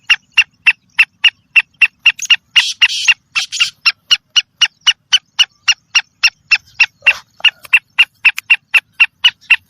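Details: Female black francolin call, said to excite males: a steady train of short, sharp clicking notes, about four a second, with a brief rougher buzzy burst partway through.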